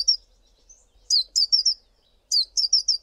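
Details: A male Collared sunbird calling: high, thin chipping notes in quick bursts of four to six, with short pauses between the bursts.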